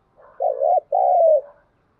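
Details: Luring call of a decoy spotted dove for wild birds. A soft lead-in, then two mellow coos, the second held longer and slightly descending.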